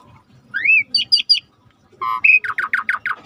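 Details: Rare starling phrase against river ambience: an upward-swept whistle, three sharp high chirps, a pause, then a harsh banded squawk followed by a fast run of five downward-slurred notes.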